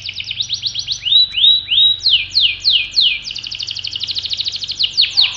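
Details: Canary of the type called pocong, singing continuously. Song made of rapid rattling trills alternating with slower, sweeping downward whistles, each phrase repeated several times, over a faint low hum.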